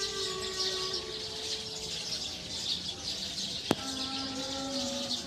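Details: Eurasian tree sparrows heading to roost in a tree, massed high twittering throughout, long low steady tones, and one sharp click near the four-second mark.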